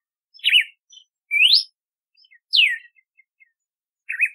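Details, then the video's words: Red-cowled cardinal song of varied whistled notes, a zigzag, a rising slur, a falling slur and another zigzag, separated by short pauses with tiny soft chips between. "Canto do Cardeal do Nordeste / Galo de Campina / Campina | Red-cowled Cardinal | Paroaria Dominicana"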